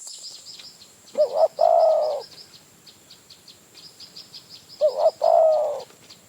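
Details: Spotted dove from the wild in Phrae, Thailand, drawn in by a decoy; two soft cooing phrases of quick double notes and a prolonged coo, over constant high twittering from other small birds.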